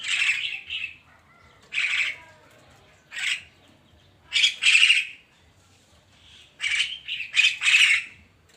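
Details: Javan myna heard in the morning: harsh, buzzy squawking notes in short bursts, some doubled, separated by pauses of one to two seconds, over a quiet background.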